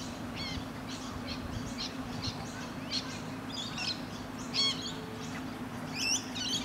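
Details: Rainbow lorikeets in Australia, a bonded pair cuddling and gently grooming each other; short, sharp high chirps and scratchy screeching notes come in scattered bursts over a steady low hum.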